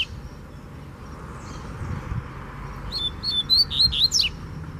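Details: Rusty-collared seedeater, a free wild bird coming at a caged bird: after a quiet stretch of low rumble, a short burst of quick whistled notes and high steep slurs.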